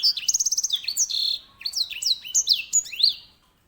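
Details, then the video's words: Grey singing finch (edel sanger), a small finch kept in Indonesia as a tutor bird for canaries, singing loudly: a rapid high trill, then a run of sharply slurred whistles that dip and rise. "EDEL SANGER SI BURUNG BERSUARA LANTANG"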